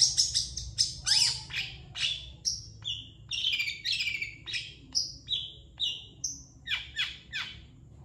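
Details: Chatty long-tailed shrike song, a master track meant for teaching other birds: a fast, varied string of harsh rasping notes mixed with short high whistles and downslurred chips, each phrase about half a second apart, with faint low hum behind.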